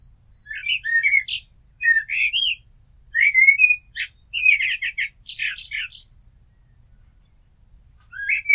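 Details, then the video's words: Blackbird sings a sequence of short, varied whistled motifs, with rapid stuttering notes and high squeaks toward the end, then a pause before another phrase starts. "Amsel Gesang - Merle Noir Chant - Blackbird Song - Mirlo Cantando"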